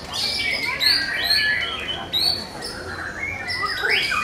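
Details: Competition singing of a white-rumped shama, session 4: bright high whistles and quick downward-sweeping phrases, ending in a rising slur, over a background of other birds and people talking.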